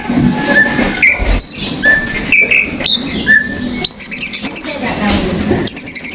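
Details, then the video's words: White-rumped shama lure song, played to provoke other birds: loud, varied clear whistles, some rising, others sliding or sharply upswept, in short phrases with brief gaps, then faster repeated notes near the end, over a low background murmur. "PANCINGAN MURAI BATU, BIKIN EMOSI AJA"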